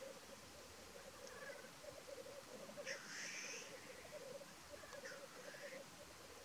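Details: Black grouse at a lek in North Wales on 12 May 2023: a steady, low bubbling coo runs throughout, broken by three harsh, sneezing hisses about two seconds apart.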